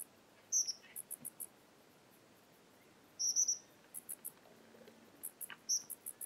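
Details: Suiriri confronting a Yellow-headed Caracara in defence of its territory, giving three bursts of high, buzzy, chattering twitters a couple of seconds apart, with rapid ticking insects behind.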